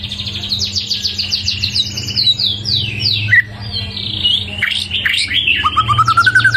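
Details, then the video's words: White-rumped shama after one moult, singing a dense, fast run of varied whistles and sharp rising and falling notes, with a short descending phrase near the end and a steady low hum underneath. "Choè lửa 1 mùa lông hót cực hay , nghe là hót 100% ."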